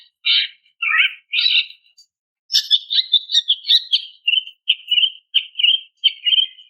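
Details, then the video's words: Female greater green leafbird calling the male: three broad, scratchy chirps, a short pause, then a rapid series of bright, higher chattering notes that settle into even, repeated chips in a clean, quiet setting. "SUARA BETINA MEMANGGIL JANTAN"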